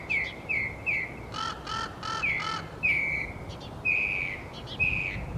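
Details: Northern mockingbird singing a varied series: several clear whistled phrases near the same pitch, each drawn out, broken by a burst of harsh, buzzy, stacked repeated notes in the middle; quiet low background rumble.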